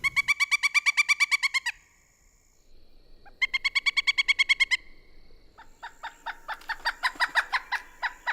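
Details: Pileated Woodpecker in Kentucky calling to communicate: loud, ringing 'kuk-kuk-kuk' series, about eight notes a second, in three bursts; the last swells louder. No other sounds intrude.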